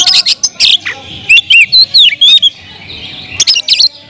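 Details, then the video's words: Kept Oriental magpie-robin singing loudly to agitate rivals: short harsh notes, then a sequence of clear curving whistles rising and falling, a pause, and more sharp whistled flourishes. "kacer gacor‼️suara kicau burung Kacer kemrayak biar kacer lain konslet"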